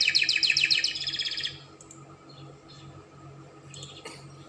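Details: Spanish Timbrado canary giving a fast bright trill of rapidly repeated notes for about a second and a half, followed by quiet with a few faint chirps.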